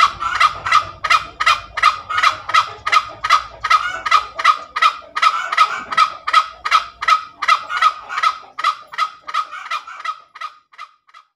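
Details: Long ngekek cackle from a very tame junglefowl: about thirty rapid rasping notes at a steady beat that fade and slow toward the end, low background music in the first half.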